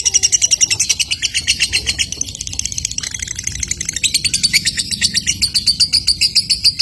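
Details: Lovebird chattering in the ngekek manner that draws other lovebirds into chattering, a long fast run of high rasping pulses with a brief lull near the third second before resuming strongly.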